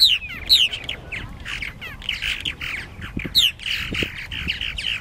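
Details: Purple martins at their nesting gourds at Lake Mackintosh, Gibsonville, North Carolina, recorded on a Canon Powershot SX-40 HS; a dense chatter of gurgling, squawky calls and rising chirps from several birds, with sharp upswept notes every second or so.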